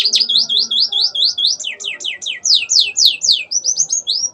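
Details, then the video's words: Canary in lively song, with phrases copied from ciblek and ciwah (klik-klik), used as a master for training birds: a rapid series of loud, sharp, downward-sweeping whistled notes, about four per second, varying in shape. "Burung Kenari Gacor Mewah isian Ciblek & Ciwah(klik-klik)"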